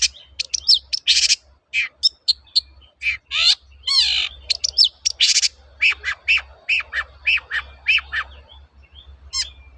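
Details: Long-tailed shrike lure song for training birds, a long varied run of harsh chatters, squeaky notes and a falling sweep, delivered in quick irregular bursts.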